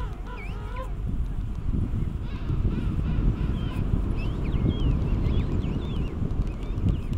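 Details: King penguins during courtship and mating on South Georgia in January 2019; wavering, trumpeting harmonic calls open the clip, then scattered higher whistled calls from other birds over steady wind rumble.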